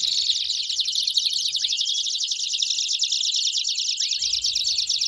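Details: Singing Belgian canary delivering a fast, rolling trill that runs nonstop, a rapid stream of high buzzy notes with two brief dipping slurs near the middle and end.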